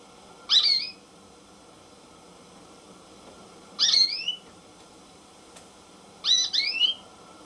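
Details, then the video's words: American goldfinch giving three short phrases about three seconds apart, each a quick high rising-and-falling whistled note with a lower swoop, over faint steady background hiss. "AMERICAN GOLDFINCH SONG"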